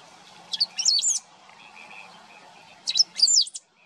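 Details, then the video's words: Great pampa-finch singing in wetlands of the Maldonado river estuary, Maldonado, Uruguay, September 2022; two short bursts of high, jumbled, squeaky notes about two seconds apart, each a quick sharp note followed by a scratchy warble. "Verdón (Embernagra platensis) cantando"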